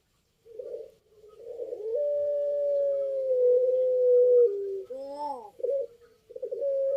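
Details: Barbary dove (puter pelung) song: one long, drawn-out, level coo held for nearly three seconds, stepping slightly lower at the end, framed by short throaty coos and a quick rising-falling tremulous note.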